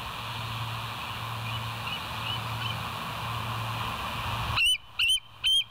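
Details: Bald eagle at the West End nest, live camera, night of 09/11/2023 at 02:31; a hissy, humming background gives way to three spaced, high piping chirps near the end.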